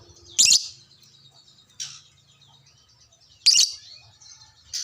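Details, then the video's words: Hobby lovebird of the fighter type answering another lovebird; loud harsh shrieks at intervals of about one and a half seconds, with faint high chatter and a low hum between them. "sekali pancing langsung nyaut burung LOVEBRID Lain"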